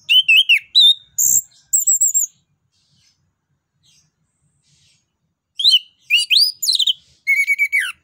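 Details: An Orange-headed thrush (anis kembang), apparently a kept songbird, sings loud, varied phrases of rich whistles and rapid trills in two bursts separated by a few seconds of silence.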